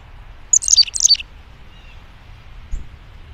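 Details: Chickadee calling loudly on a winter morning when cold weather returned: two quick bursts of high, thin notes tumbling downward, about half a second apart, over a faint low rumble.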